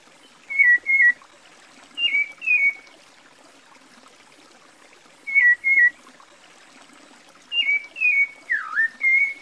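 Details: Whistled song of a cocoa thrush, Brazil: paired falling notes in short bursts separated by pauses, one phrase ending in a deep swooping slur, against a soft, steady background noise.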